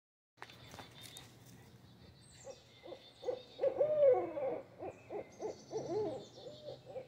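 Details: A pair of barred owls staking claim to territory, giving a rising run of rhythmic, throaty hoots and wavering cackling calls that grow louder and overlap, with a low steady hum underneath.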